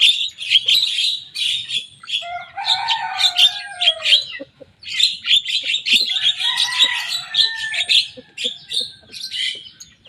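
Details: Young Javan myna in full song, copying rival birds' songs: dense bursts of harsh, chattering high notes with a lower drawn-out whistled phrase in the middle, a short pause near five seconds, then more rapid chatter and whistles.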